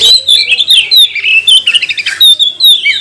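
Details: Lure song of a magpie-robin, meant to make other magpie-robins sing and display: fast, loud, high whistles and twittering slurs packed closely together, clear against a quiet background.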